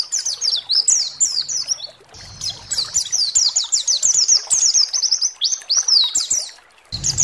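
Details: White-eye (pleci) provocation recording for stirring other pleci: lively run of quick high slurred chirps, a steady high thin note around two seconds, then dense fast twittering until a final burst.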